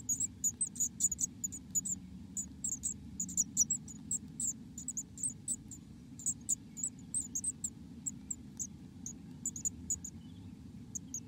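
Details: Inside a nest, a Black-capped Chickadee gives very high, thin chips in quick, uneven bursts, several a second, over a low steady hum.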